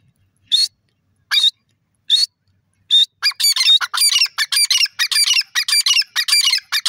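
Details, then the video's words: Grey francolin, called teetar or irani teetar: four loud, harsh, high notes spaced under a second apart, then a rapid run of scratchy, squawking notes in quick succession, with no background sound. "titar ki awaj irani teetar birds wonderful sound"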